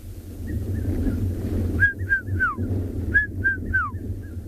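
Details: Red-chested Cuckoos call incessantly from thickets around a clearing in a South African game reserve at dusk, as the last light fades: two loud, whistled three-note falling phrases, a fainter cuckoo further off, and a steady low rumble.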